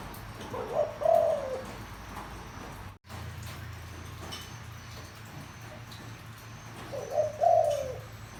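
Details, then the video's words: Deep-toned spotted dove calling to lure wild birds. Two matching coo phrases, one at the start and one near the end, each a short note then a sustained soft coo, with a brief cut and low hum between. "tiếng chim cu gáy kích bổi mau lên"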